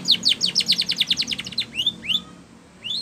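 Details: Spanish Timbrado canary singing a training song, opening with a fast, even series of loud, high, downward-sweeping notes, then a pause and a few separate rising whistled notes, with a soft low hum behind.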